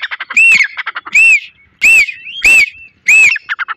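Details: Grey francolin fighting with a pigeon gives loud, harsh, ringing notes about every half second to second, with soft rapid clicking notes in between.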